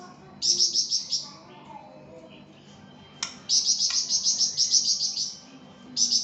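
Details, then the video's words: Flamboyan bird singing vigorously on a tutor recording for songbirds: rapid series of very high, thin, ringing notes, about three per second, in bursts separated by quiet gaps, over faint background noise. "𝗯𝘂𝗿𝘂𝗻𝗴 𝗳𝗹𝗮𝗺𝗯𝗼𝘆𝗮𝗻 | 𝗳𝗹𝗮𝗺𝗯𝗼𝘆𝗮𝗻 𝗴𝗮𝗰𝗼𝗿 | masteran flamboyan"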